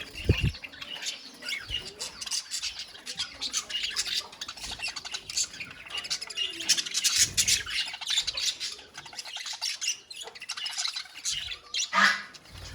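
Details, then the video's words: Budgerigars in a colony giving a steady stream of overlapping chirps, squawks and warbled twitters, with occasional wing flaps and a few louder knocks. "Budgies Sounds in Colony | Parakeets Sounds in Colony"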